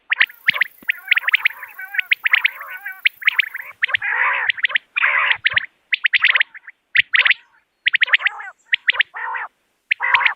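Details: Common quail giving a hunting-lure call: clusters of short sharp notes in fast groups alternating with buzzy, harmonic rasping bursts, irregularly spaced with short silent gaps between.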